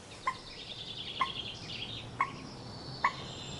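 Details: Eurasian coot in the UK in late October 2013 giving four short, sharp, explosive notes spaced about a second apart, with faint higher twittering from other birds behind.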